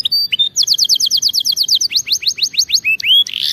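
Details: Canary song intended to train canaries: a brief high pure whistle, then fast repeated paired notes, a run of rising slurs, and a harsh noisy burst at the end.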